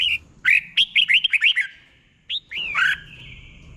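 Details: Red-whiskered bulbul in a cage delivering slow, clear doubled 'berl' song for young birds to learn. A quick run of about eight short, rising whistled notes is followed by a pause, then two louder slurred notes and a held tone.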